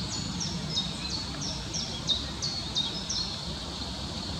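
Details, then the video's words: Eurasian coot with young at Amsterdamse Bos, the Netherlands: thin, high, downslurred peeps repeated about three times a second, half-masked by steady background rumble and hiss. "Coot with young/Meerkoet met jong"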